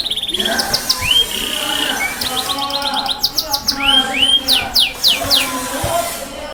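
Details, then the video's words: Loud song of a Yorkshire canary in the lion-roar style: bright whistled notes, quick rising slurs and fast rolling trills, with sharp high chips clustered in bursts and faint low murmuring behind. "burung kenari yorkshire suara keras auman singa"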